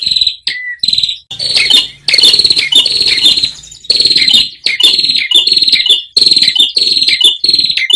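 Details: Ashy tailorbird recorded to train caged birds: loud, rapid buzzy trills and harsh rattling phrases, with some short clear notes, repeated in bursts with brief gaps, very close and strongly saturated.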